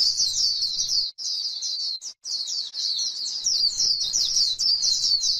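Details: Grassland white-eye singing líu to stimulate others: sustained high, fast, slurred twittering with a couple of tiny breaks and faint low noise beneath.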